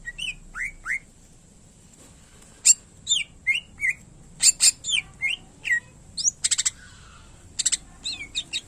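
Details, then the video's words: Greater green leafbird (cucak ijo) singing: scattered sharp whistled notes sliding down from high pitch, short bursts with pauses, a steady high hiss underneath, used as a master recording for training other birds. "Cucak Ijo Gacor Isian Pilihan Terbaik Cocok Buat Masterin Burung Lain Yang Malas Bunyi"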